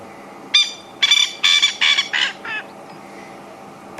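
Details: A male francolin calls at sunset on a drive at Djuma and Arathusa, Africa, giving a loud, harsh, grating series of cackling notes that fade toward the end; another male answers from further away.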